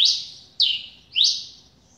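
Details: Three separate, loud, high notes from a newly acquired double-collared seedeater, spaced about half a second apart. Each note opens sharply, rising or bending, then fades into a drawn-out tail. The background is quiet.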